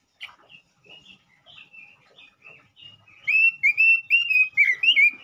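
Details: ['A male robin, sung to stimulate rival robins, gives soft scattered whistles that swell into a loud rapid string of bright, slightly wavering whistled notes.']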